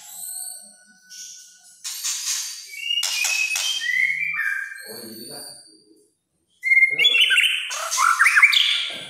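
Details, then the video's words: Energetic white-rumped shama singing, said to rile other shamas: high thin whistles and sharp chirps, then scratchy rising notes, a brief silence, and a loud burst of shrill, rapidly varied phrases. "KRETEKAN MURAI BATU GACOR. BIKIN MURAI LAIN EMOSI.."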